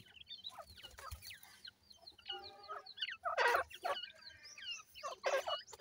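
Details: Young grey francolins (dakhni teetar) beside a pair of adults giving thin descending whistled peeps in quick series, with loud clattering thumps midway and near the end.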